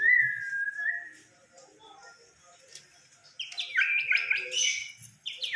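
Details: Fighter white-rumped shama giving a long steady whistled note, a quiet pause with faint background chirps, then a burst of rapid jumbled high phrases.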